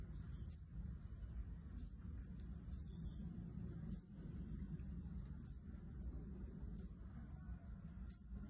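Red-headed kemade giving thin, high, down-slurred chirps, spaced roughly a second apart at an uneven pace, over a low steady hum.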